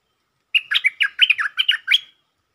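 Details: Stripe-throated bulbul, a provoked territorial resident, singing in the 'sap rik' style used as a lure: one brisk phrase of about a dozen bubbly, warbled notes, falling and rising, lasting about one and a half seconds.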